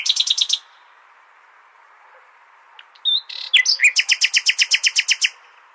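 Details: Common nightingale song used for goldfinch tutoring: a short rattle, then a long pause before a sharp note and a long, evenly paced trill of roughly sixteen repeated clicking notes.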